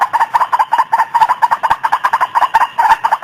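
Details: Waterhen sound played as a lure for trapping: a fast, continuous chain of coarse, throaty notes, evenly spaced several per second, loud and uniform from start to finish.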